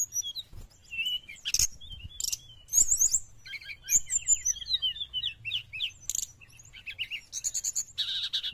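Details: Chattering Sooty-headed bulbul song meant to attract wild birds, a busy jumble of short whistled notes, twittering slurs and sharp clicks, ending in a dense buzzy burst.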